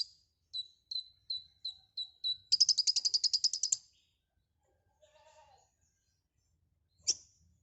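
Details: Konin, or white-rumped shama, in lively song packed with imitated phrases: a row of sharp evenly spaced chips runs into a fast high rattling trill, followed by a soft low whistle and one loud clipped note.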